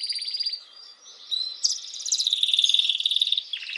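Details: Canary song played to stimulate females for mating: a quieter opening of rapid high buzzy rolls, a short lull, then a loud sustained rattling trill with a brief lower ending.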